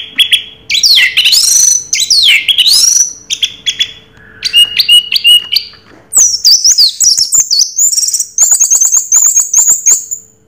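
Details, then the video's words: Orange-headed thrush delivering Raja Teler song, sweeping looping whistles giving way to short clipped notes and finally very high, thin rapid trills; a low hum persists throughout. "Suara Burung Raja Teler Anis Merah"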